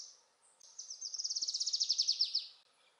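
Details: Adelaide's Warbler, endemic to Puerto Rico, filmed in Ponce; a high, thin trill of about twenty quick notes over two seconds, swelling in volume and rising slightly, with faint background hiss.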